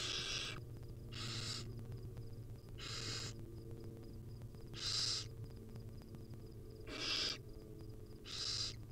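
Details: Hungry wild barn owl chicks in the nest beg as the mother brings food in small pieces; six rasping, hissy screeches spaced one to two seconds apart, with a constant low mechanical hum beneath.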